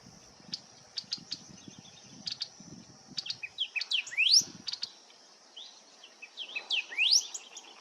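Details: In early autumn 2025 in Lihué Calel National Park, La Pampa, Argentina, a male Golden-billed Saltator high in shrubland branches sings sharp chips and quick, sweeping rising whistles to claim territory, over a steady high insect drone.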